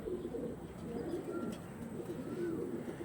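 Pigeons coo softly in low, throaty, repeated phrases.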